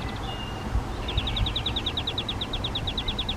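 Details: At a nest box in a garden, a flycatcher, likely a collared flycatcher (Ficedula albicollis), gives a fast run of thin, high, clipped notes, about seven a second, over a steady low rumble of distant traffic.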